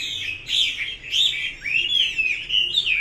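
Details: Chinese hwamei singing: a loud, continuous, high, varied warble of rapid slurred whistles and trills, with phrases rising and falling without pause.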